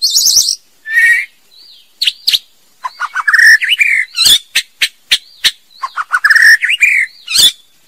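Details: Female White-rumped shama song: loud warbled notes, a thin wavering whistle, then rapid alternation of sharp cracking notes and full, rising whistled phrases, delivered energetically.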